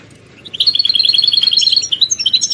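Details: Goldfinch stimulation twittering: after a quiet start, a fast even string of bright repeated chirps runs for two seconds, with higher whistled notes layered in near the end, over a faint background hiss.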